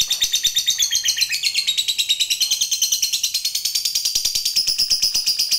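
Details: Lovebird of the fighter type singing a long ngekek trill used to provoke other lovebirds into singing: dense rapid high chattering, repeated notes sliding and stuttering, running continuously without pause.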